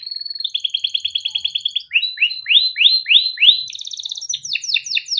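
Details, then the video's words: Young canary in energetic long song, used to train juvenile canaries: a fast chattering trill, then slower rising slurred whistles, a high ticking roll and sweeping chirps. "SUARA KENARI MUDA GACOR untuk pancingan kenari paud || kenari gacor panjang || canaries singing"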